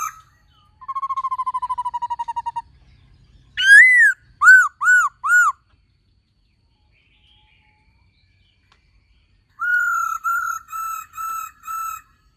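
Black-throated laughingthrush song: a rapid rattling trill, then loud rich whistled notes repeated about every half second, each rising and falling.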